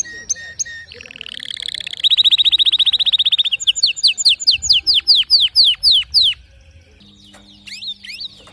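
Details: Canary song: brief chirps, a rising buzzy roll into a fast trill, then evenly spaced downward-sweeping notes, finishing with quieter scattered slurs and a faint low hum.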